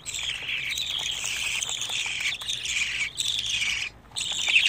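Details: Twenty-five-day-old budgerigar chicks keep up a near-continuous harsh, buzzy chatter in long bursts, broken by a short silence near the end before the noise resumes.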